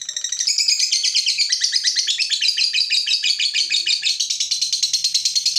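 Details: Fighter lovebird, provoked into a long "ngekek" by a rival, delivering a fast, continuous, harsh chattering trill of high, scratchy notes for the whole stretch, steady in pace and loudness.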